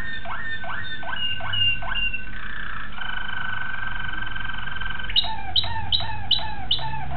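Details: Young Malinois Waterslager canary from 2009 singing: a run of repeated rising whistled notes, then a long steady bubbling trill, then sharp descending notes repeated about every half second.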